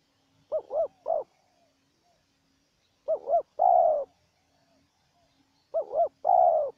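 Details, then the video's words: Spotted dove, wild, trading calls with a decoy dove. Three coo phrases, each a quick wavering double note, mostly followed by a longer, smoother drawn-out coo. Phrases come about every two and a half seconds in a quiet setting. "Pikat dan Terkukur Liar Adu Suara"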